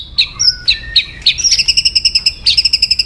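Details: White-rumped shama singing to provoke aggression, a few spaced chirps followed by a rapid, even trill of bright high notes, then a second burst of the same quick repeated notes.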